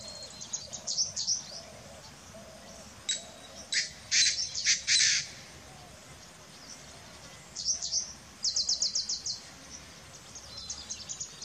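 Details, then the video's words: Painted francolin calling: scattered harsh, high-pitched squawking bursts, a loud cluster of strident notes midway, and later a rapid run of evenly repeated sharp notes, with quiet outdoor background between. "Francolins video with Calls || Desi Tittar Call || रंगीत तित्तर"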